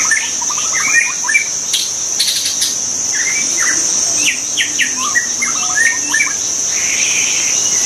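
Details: White-rumped shama singing in the wild, pouring out dense, chattering phrases of quick whistles and short trills almost without pause, mixed with a loud steady insect drone.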